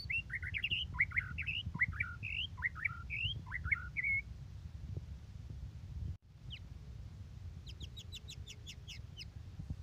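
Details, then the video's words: Vigorous white-rumped shama song: a string of bright, upswept whistled phrases repeated over about four seconds, later a fast series of high ticking notes, with broad background noise. "MURAI BATU GACORRR FULL DURASI"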